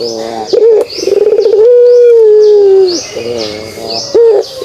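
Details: Pelung dove kugeruk call: a vibrating, pulsed lead-in rises into a clear, sustained low coo that slowly drops in pitch, then short soft notes. Repeated high chirps from other birds are heard.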